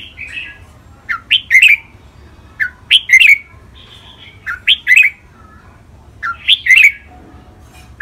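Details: Red-whiskered bulbul contest birds, caged, in a training recording of two rivals: a short chirpy lead-in followed by a punchy three-note whistled phrase, repeated four times at steady intervals of about two seconds.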